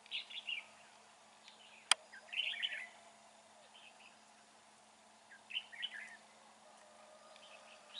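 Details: Red-whiskered bulbul in a fighting trap on a dark, overcast day, giving short bursts of bubbly, slurred warbled phrases spaced a few seconds apart, with one sharp click partway through.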